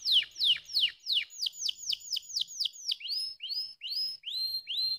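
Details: Canary song used to stimulate lazy birds into singing: a fast series of loud, high, steeply falling whistled notes, then softer rising upswept notes repeated about three times a second.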